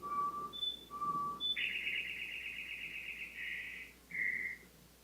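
A Song Sparrow's song played slowed down: clear whistled notes alternating low and high, then a long rattling trill and a final buzzy note.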